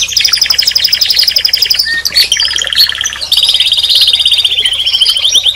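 A canary sings a fast, rolling song of rapid trills and chirps, high and bright, shifting between tours and barely pausing.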